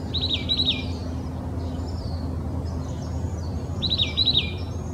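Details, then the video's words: Oak titmouse singing in Old Torrance, Los Angeles County, California, on January 21, 2020: two bursts of quick repeated paired whistled notes, about four seconds apart, over faint distant bird chirps and low steady hum. "Oak Titmouse Song"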